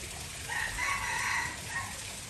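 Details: Junglefowl crow from Aceh, used to lure wild birds: a quieter single crow with a short first note, a long even middle and a brief tail, heard over fairly strong background noise.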